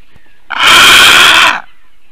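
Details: A female Eurasian bittern in Latvia, defending and calling loudly at 8:42 AM on 28 April 2022, gives a single loud, harsh, raspy squawk lasting about a second; otherwise near silence.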